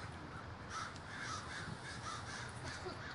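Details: Crows at a large communal gathering in Davis, California, a dense chorus of harsh overlapping caws rising and falling over a steady background hum.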